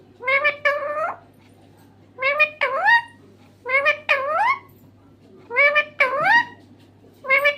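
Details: Green parrot repeats a two-part, speech-like phrase about every two seconds, each part rising and falling in pitch, four phrases in all, with a faint hum behind.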